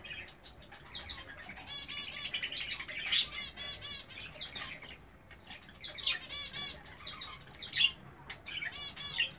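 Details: A male budgerigar in breeding condition warbles a busy run of chirps, clicks and scratchy trills.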